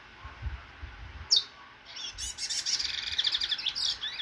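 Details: A cage-bred chestnut-bellied seed finch (Trini bullfinch), almost out of molt, recorded 16/09/24, opens with a sharp high note, then gives a rapid, bright, twittering warble of high notes for about two seconds. A faint low rumble sits underneath.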